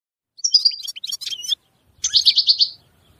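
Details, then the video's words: European goldfinch song: a burst of high, varied twittering notes, a pause, then a fast run of repeated bright trilled notes, with no other clear sounds. "Chant Chardonneret تغريد طائر الحسون"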